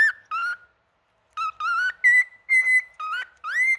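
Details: A singing male cockatiel whistles a series of clear tones, some level, some wavering or rising, grouped in quick bursts after an early pause, with nothing else audible.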